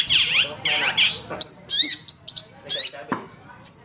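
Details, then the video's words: Long-tailed shrike song for teaching songbirds: opens with swooping, wavering notes, then switches to sharp high chips and quick trilled squeaks in an uneven sequence. "Masteran Suara Pentet Cendet"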